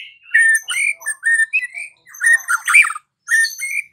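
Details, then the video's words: White-rumped shama song played in the afternoon to stir a silent shama into singing: short clear whistled notes and slurred phrases broken by brief pauses, with a harsher burst in the middle. "PANCINGAN Murai Batu SORE hari , langsung bikin Murai Batu bisu AUTO NGAMUK"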